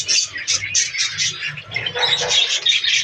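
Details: Captive budgerigars in a breeding colony, giving dense, overlapping high chirps and warbles in rapid bursts, with a faint low murmur beneath the chatter.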